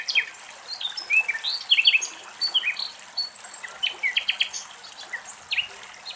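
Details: Common nightingales singing in Greek countryside: quick, varied chirps, slurred whistles and short buzzy phrases in bursts, sung high over a steady hiss of rushing water.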